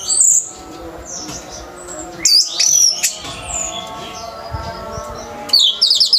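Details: Orange-headed thrush 'teler hyper' song meant to train kept songbirds: short bursts of very high, bright whistled trills and slurs separated by quieter gaps of one to two seconds, with soft low background noise.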